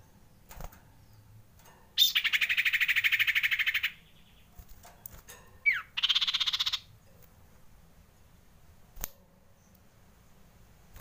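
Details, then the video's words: Male common iora, frightened, calling as a lure: a long, dense, grating rattle, then a sharp downward whistle leading into a shorter buzzy rattle. Quiet background with a single click later. "SUARA PIKAT CIPOH KETAKUTAN"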